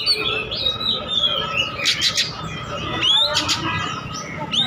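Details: Oriental magpie-robin singing steadily as a lure meant to make other birds answer; bright whistles and rapid warbling notes with some sharp upswept phrases over a low rumbling background.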